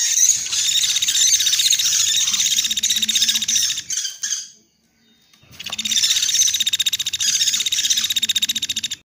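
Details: Pelatuk beras woodpecker lure call used for trapping birds: dense, rapid, high chattering notes repeated steadily for about four seconds. A short silent gap follows, then a second long burst of the same sharp, rattling series.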